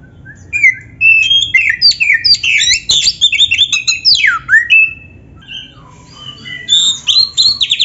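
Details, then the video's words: Energetic kacer (Oriental magpie-robin) song used as a master recording to train caged birds: dense jumbles of twittering, squeaky and whistled phrases, a quieter gap, then more high, scratchy notes. "MASTERAN KACER GACOR FULL ISIAN"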